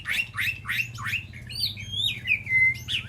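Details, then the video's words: White-rumped shama calling to the flock inside an aviary: four quick repeated downslurred notes, then high whistled glides and a clear steady whistle, over a low hum. "Sound of White-rumped Shama Call to Flock"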